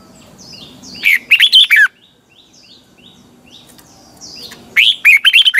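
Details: Red-whiskered bulbul morning lure song for training caged birds, double twisting style: two loud, jumbled phrases of slurred whistles about three and a half seconds apart, with a series of thin, high down-slurred notes from another bird in between.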